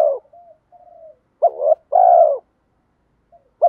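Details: Spotted dove, a decoy bird with a 'giọng đồng' voice, calling to lure wild doves back: a rolling double coo followed by a long low drawn-out coo, with soft quiet cooing between phrases.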